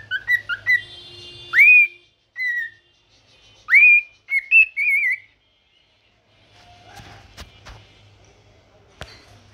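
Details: Cockatiel singing in the morning, a pet bird giving a run of bright upswept whistles and short warbled notes, then falling quiet while faint clicks and knocks follow.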